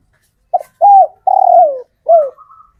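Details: Local male spotted dove, originally wild-caught, calling females; a short note, a level coo, a long falling coo, and a closing downslurred coo with a faint thin tail.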